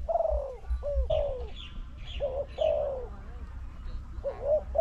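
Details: Spotted dove calling to a decoy in a bird-trapping contest at a newly opened trap enclosure: bright cooing notes that slide downward, given in quick succession about every half second, over low rumbling background noise.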